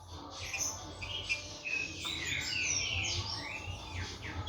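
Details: Captive young green-winged saltator, 16 months old, kept for song tournaments in Brazil: a dense stream of whistled, sliding notes, some rising and some falling, with overlapping chirps and a steady low background hum.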